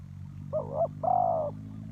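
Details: Spotted dove used as a ground lure for trapping, giving one low cooing phrase: a short hollow note, then a longer steady coo, over a low background hum.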